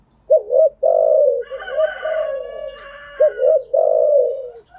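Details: Spotted dove cooing used to train newly caught birds: double hoot then long mellow coo, twice, with a higher harmonic, drawn-out call from another bird overlapping in the middle.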